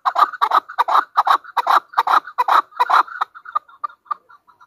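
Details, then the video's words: Hunter chukar from Pakistan delivering a rapid string of coarse, doubled chuck notes that fade into softer, sparser clucks after about three and a half seconds. "Pakistan National bird chakor ki awaz | Hunter chukar voices | Hunter Chukar sound"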